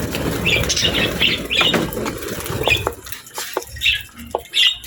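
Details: Budgerigars kept as pets chatter while feeding: quick high chirps in bursts, with rustling and soft fluttering beneath and quieter gaps toward the end.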